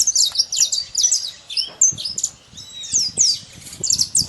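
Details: Saffron finch singing free in nature: bright, high chirped notes and quick down-slurred tweets in rapid bursts, with short pauses between phrases and faint low rustling underneath.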